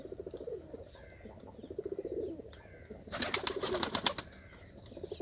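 Fantail pigeons give low, throaty rolling coos over a steady high insect-like hiss, with a burst of wing-clapping flutter midway.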